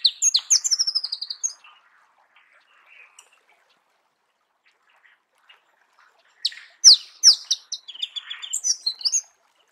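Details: Marico sunbird in natural habitat: bursts of high, rapid twittering with sharp descending chips and buzzy trills, a first phrase of about one and a half seconds, then near silence, then a second longer burst.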